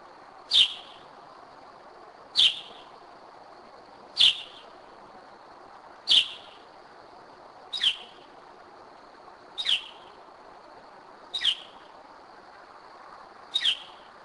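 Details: Northern mockingbird at night, 2am, in Kennesaw, Georgia: one sharp high note repeated about every two seconds against a quiet night background.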